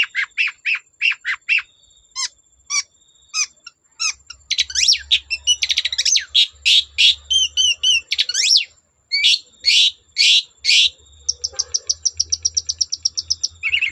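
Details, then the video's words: Long-tailed shrike in energetic full song, meant to provoke other shrikes into singing: a fast, varied run of sharp chirps, buzzy notes and a rapid high trill near the end, with a faint low hum at times. "Burung cendet gacor Bikin cendet bahan terpancing ikut gacor"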